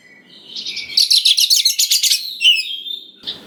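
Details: White-rumped shama (kacer) lure song meant to rouse young birds into answering: rising warbles lead into a fast run of harsh pulsed buzzy notes, then a sharp whistled chirp.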